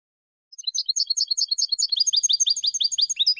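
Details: Goldfinch song: after a half-second pause, a rapid run of bright twittering notes around 4–6k, shifting into denser buzzy chattering trills that continue to the end, with no other sounds.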